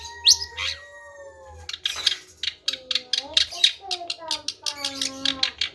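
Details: A long-tailed shrike opens with a sharp upward-sweeping squeal, then pours out a fast stream of scratchy chattering notes, several per second, woven with lower wavering whistled tones.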